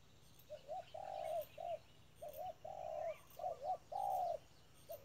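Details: Decoy spotted dove at a trap giving repeated low mellow coos, a short note, a long sustained coo, then a short note, the pattern repeating roughly every one and a half seconds; faint distant chirps behind.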